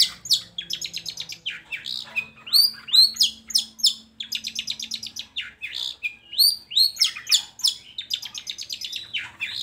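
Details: Long-tailed shrike song used as a lure to coax reluctant shrikes into singing; a dense run of sharp, high chattering notes and rasping squeaks, phrases bursting out in quick clusters with brief pauses, a faint low hum beneath.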